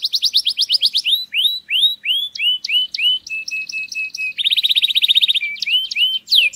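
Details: Canary singing to stimulate mating: fast chattering trills, looping slurred whistles, a run of flat steady piping notes, then a dense rapid rolling trill and a few final sweeping calls.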